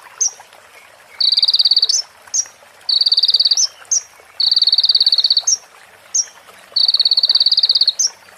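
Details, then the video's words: Training recording of sunbird song, reportedly carrying female prinia and bar-winged prinia fill-ins: short high flicked notes, then evenly pulsed buzzing trills lasting roughly a second, repeated four times with brief gaps, clean and without other sounds. "MASTERAN KONIN FULL ISIAN PRENJAK BETINA SAMBUNG CIBLEK BREN JERNIH JEDA ORIGINAL DARI SUARA KONIN"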